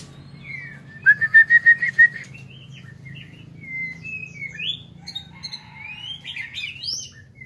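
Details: Caged white-rumped shama in an aviary; a run of five loud, evenly spaced whistled notes, then a varied string of softer high whistles, slurs and chirps, over a steady low hum.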